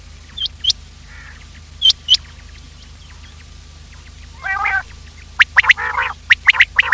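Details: Quail sound used to lure quails for trapping, a morning recording: paired high whistled notes repeated a few times, then a nasal, buzzy note and a burst of rapid chirps and harsh calls.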